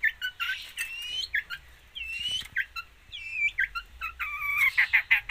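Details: Quieter stretch of long-tailed shrike song with mimicked material: warbling whistles, rising and falling slurred notes, and short chattering runs ending in a scratchy twitter.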